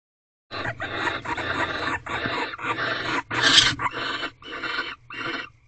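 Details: Barn owls mating in an owl box before dawn, 5:40 am on 7 March 2023, eighteenth night: a series of harsh, breathy hissing bursts, each under a second, about eight in a row, with a steady low hum beneath.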